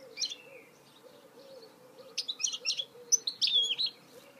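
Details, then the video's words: Goldfinch mule song: a short slurred phrase, a pause, then a dense run of bright chirps and twittered notes, with a low rhythmic hum running underneath throughout. "Chant mulet chardonneret تغريد هجين الحسون"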